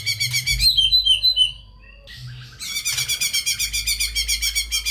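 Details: White-rumped shama in full, varied song used to coax lazy, low-spirited shamas into singing: rapid buzzy trills repeated several times a second, sweet whistled notes around the middle, then a long fast rattling trill; low hum throughout.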